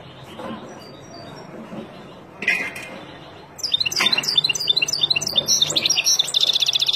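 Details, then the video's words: Song of a wild European goldfinch meant for teaching young birds: faint chirps and a single louder call at first, then a dense stream of high, rapid twittering notes closing on a buzzy trill. "اروع تغريد طائر الحسون البري لتعليم فراخ"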